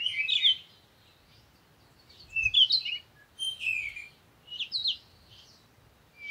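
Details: Parakeet uttering brief bursts of scratchy, bending chirps roughly once a second or two, with quiet stretches between them and a dull low thump near the middle.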